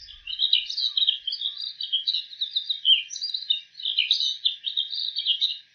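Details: Bull-headed shrike copying other birds' voices, every sound from this shrike: a lively, nonstop stream of high scratchy twitters, chirps and short trills, with loud notes coming roughly every half second.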